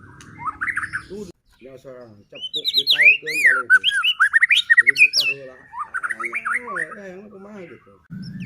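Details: White-rumped shama song used as a lure to provoke other shamas into singing and make them agitated: rapid, varied whistled phrases with swooping rising and falling notes and sharp high chips, over lower nasal, buzzy harmonic notes and brief pauses.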